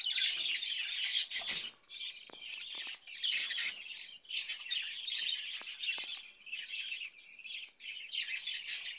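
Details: Budgerigars in a cage during summer, fed cucumber; continuous high, scratchy warbling chatter with loud chirpy bursts near the start and middle, easing into quieter twittering toward the end.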